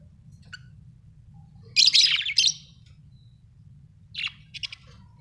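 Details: Budgerigars, Australian budgie parrots, chirping: a loud cluster of bright, scratchy chirps around two seconds, then a softer group of short buzzy notes near the end, over a quiet low hum.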